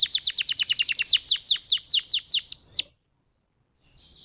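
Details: Canary song played as a lure to make other canaries sing: a fast run of high downward-sweeping notes, about twenty in under three seconds, slowing slightly, then silence with a faint note at the end.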